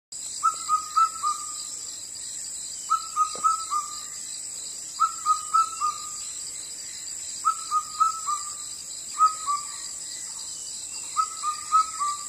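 An Indian cuckoo gives its four-note whistled phrase, falling slightly at the end, every two seconds or so, over a steady high insect drone.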